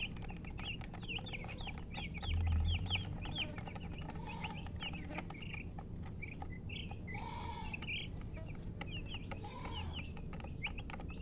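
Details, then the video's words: Chicks chirping in quick bursts of high, down-slurred peeps, busier at first and then sparser with longer, squeakier notes, over a persistent low rumble and hum. "MURGI Baby "Chicks Chirping" Sound"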